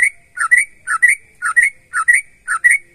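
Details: Sooty-headed bulbul singing energetically, used to prompt other bulbuls to sing: clear, bubbly two-note whistled phrases, a low note rising into a brighter one, repeated about every half second, six phrases in quick succession, no other sounds.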